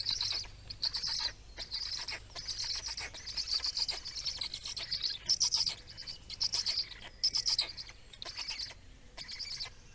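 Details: Black storks feeding in Estonia on 17 May 2019, giving near-continuous series of harsh, high, rapidly pulsed calls in overlapping bursts throughout, with a soft low hum in the background.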